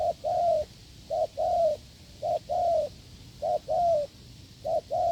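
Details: Hard, resonant cooing of a wild spotted dove met in the fields on a failed decoy test: a quick note then a long slightly falling coo, pairs spaced about a second apart, low ambient hum.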